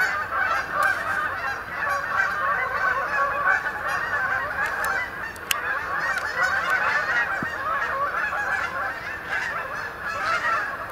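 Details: Roosting flight of Canada geese into the Sapsucker Woods main pond, Ithaca, New York, late October 2017, heard as a constant chorus of nasal honks with occasional sharp ticks.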